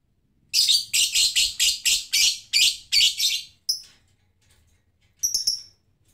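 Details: Lovebird ngetik calling unprompted: a fast series of about nine loud, harsh, high chirps in under three seconds, then a pause and two more isolated chirp bursts.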